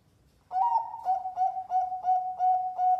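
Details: A zebra dove, described as a national champion bird, gives a steady run of soft, mellow cooing notes, about three each second, each slightly rising then level, against a quiet background. The recording is used as a lure call.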